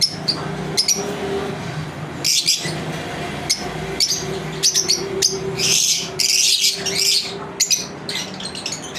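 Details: Several lovebirds chirping through their daily routine: bursts of high, scratchy chirps and squeaks come in irregular clusters above a low indoor hum.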